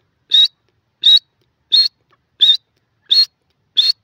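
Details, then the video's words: Grey francolin uttering six sharp, high, slightly rising notes at an even pace of about one every two-thirds of a second, with silence between them. "grey francolin call pheasant birds awaaz"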